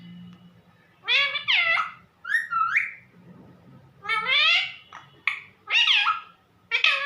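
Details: Indoor parrot calling to its owner, mummy: a string of sliding, speech-like, bending calls in quick clusters, some rising and some falling, with short gaps and a soft hum behind.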